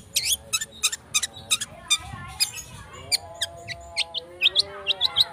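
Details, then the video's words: Lure track of a long-tailed shrike meant to provoke other birds into singing: sharp scratchy high notes in spaced bursts, then quick whistled upslurs over lower drawn-out warbling tones. "Cendet Speed rapet - PANCINGAN CENDET"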